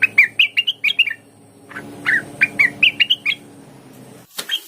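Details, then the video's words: {'caption': 'Cucak wilis, the lesser green leafbird, singing as a lure to make other kept birds sing: quick sequences of twittering, up-and-down slurred chirps, a short gap, a second run, and a final sharp click with two notes.'} "dijamin cucak Wilis mu bakal ikutan gacor mendengar suara burung cucak Wilis ini"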